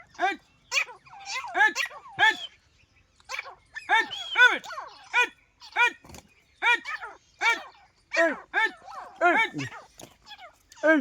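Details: Grey francolin; fighting calls; fighting between rival birds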